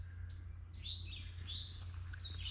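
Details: Eastern Towhees in bushes along the Cataraqui Trail near Sydenham give three rising, slurred notes about a second apart over a low rumble of wind or distant traffic; 15 May 2022, late morning, partly sunny, warm and humid.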